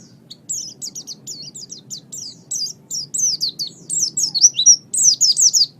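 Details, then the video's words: Master training recording of a pleci, the oriental white-eye kept as a pet songbird: rapid, high, slurred chirps roughly three per second, growing louder and more tangled as the phrase goes on. "Suara Burung Pleci"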